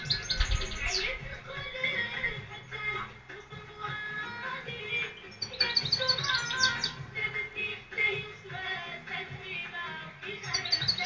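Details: European goldfinch, praised for its very beautiful voice, singing rapid twittering and tinkling phrases of high chirps and short trills in bursts, with people talking and background noise.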